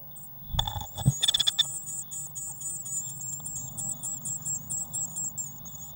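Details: Eurasian blue tit at a nest box on 19 May 2019, a waxworm feeder nearby. A few knocks and scrapes come first, then a rapid, steady stream of thin, high-pitched notes continues to the end.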